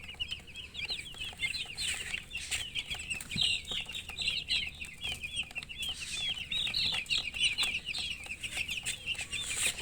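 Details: Young chicks chirping nonstop: a busy stream of shrill, downslurred peeps from many birds, evenly loud throughout.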